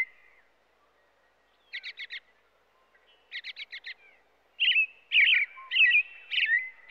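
A robin gives quick high notes in short clusters of three or four, then longer, richer warbled phrases. Nothing else is heard.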